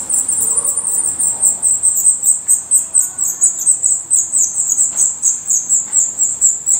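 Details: Black redstart at a nest in Portugal: a fast, steady stream of very high, thin chipping notes, about two per second, running throughout, with faint low rustling beneath.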